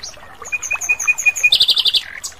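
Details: Asian brown flycatcher in the wild giving a clear, strong series of thin, high piping notes, then a quick buzzy trill and a final downward slur.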